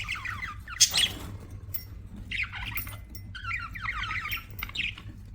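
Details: Budgies giving rapid chattering warbles in bursts separated by short pauses, with a sharp clicking rattle near the start and a low hum underneath.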